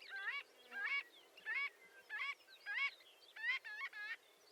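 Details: Repeated nasal calls of a marbled godwit: about eight buzzy, reedy notes, each bending upward, spaced roughly half a second apart.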